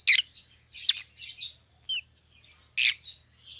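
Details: Pet rosy-faced lovebirds of white-headed opaline colour types chattering: loud raspy chirps spaced about a second apart, mixed with softer twittering and a small two-note squeak.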